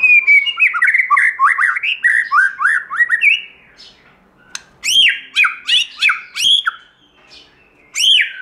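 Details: Forest-style song of a white-rumped shama: a dense chain of loud slurred whistles and rolling notes, then a pause followed by spaced, arching high whistles with sharp clicks, repeated at irregular intervals.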